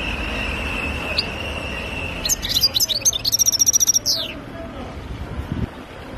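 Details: Khalwi-style song of a European goldfinch in Algeria: a steady thin whistle-like tone, then a quick string of about a dozen sharp, ringing, evenly repeated notes forming a fast trill, fading into faint background noise.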